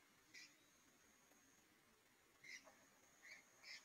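Rufous-headed woodpecker giving four short, sharp notes: one alone, then a quick cluster of three near the end, over quiet background hiss.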